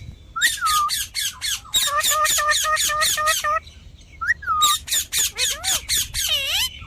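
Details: Parrot calling in rapid repeated harsh squawks, about four per second, in long runs broken by brief pauses, ending with drawn-out rising and falling notes.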